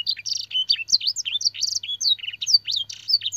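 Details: Canary tutor song packed with blackthroat and sanger phrases for teaching other canaries; quick alternation of pure swooping whistles and buzzy, rattling chirps in close succession, with a faint steady hum underneath.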